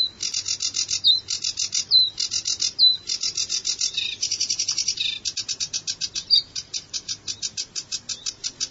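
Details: Sedge warbler singing a fast, chattering song of rapidly repeated dry, buzzy notes in varied bursts, broken by short clear whistled and slurred phrases, with no other clear sounds.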